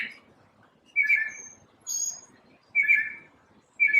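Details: A solitary bird in the morning gives harsh, scratchy chirps spaced about a second apart, with quiet pauses between them.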